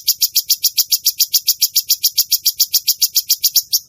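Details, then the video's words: Actively singing (gacor) cucak cungkok bulbul delivering a steady, rapid run of bright, high-pitched chirps, roughly four per second and very regular, fading off at the end; the room is otherwise quiet. "burung cucak cungkok gacor"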